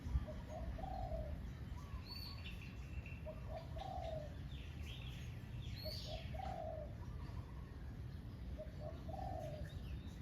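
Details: Crossbred spotted dove kept as a decoy lead bird on a hunting trip; a low rolling three-part coo repeats about every two seconds, over rustling background noise with faint chirps from other birds.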